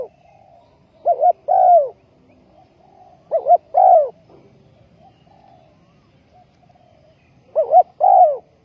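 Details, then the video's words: Decoy spotted dove set on the ground to attract wild birds for trapping, 20 April 2020. Gives clear coo phrases, a brisk doubled note then a long sliding coo, three times with calm gaps between. "Bẫy Chim cu gáy bằng mồi đất cực đỉnh"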